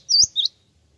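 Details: Two quick, high chirps of a Java sparrow, the first longer and slurred, the second shorter, part of a lure sound meant to get replies.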